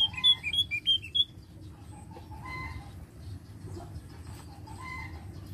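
Javan grey-throated white-eye gives a quick burst of about six bright, high whistled notes in just over a second, followed by fainter calls over a steady low rumble.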